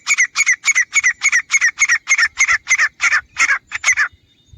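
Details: Teetar (grey francolin) hunting call: a fast, loud, rhythmic string of about fifteen harsh, squawking notes, roughly three or four per second, slowing slightly toward the end.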